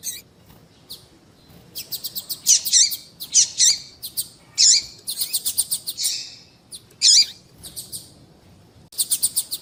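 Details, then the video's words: Female yellow-bellied seedeater calls used to warm up a male so he keeps singing: rapid strings of high, thin, ticking chirps in repeated bursts, some louder sharp notes, with faint background noise. "Piado de fêmea de papa capim tui tui para Esquentar papacapim"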